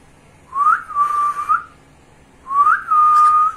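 A cockatiel gives two clear whistled phrases, each sliding upward and then holding a steady tone.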